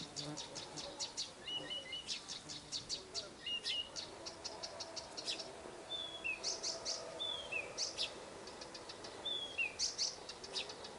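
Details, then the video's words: Nightingale singing at a dacha in the Irkutsk region, Russia; rich varied song of rapid repeated clicking notes, crisp trills and clear slurred whistles, phrases following each other with short pauses, faint background hum. "Пение соловья в Иркутской области. Singing nightingale in the Irkutsk region."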